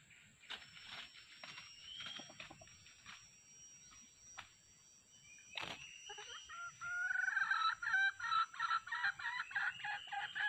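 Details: Red junglefowl of the yellow-plumaged kind, drawn in by a decoy for trapping; a male came with a female. Faint rustling and a thud precede a long, loud, pulsing crow that stutters in rapid beats over the final seconds.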